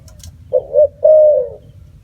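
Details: Spotted dove cooing once: two quick soft notes leading into one long steady coo that fades slightly at the end, over a low background rumble.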